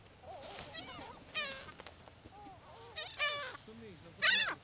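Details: Gulls being fed biscuits on Brean Sands beach, Somerset, England, on a spring day in April: a flock gives loud harsh squealing cries with arched harmonics, several birds overlapping, in bursts about a second apart.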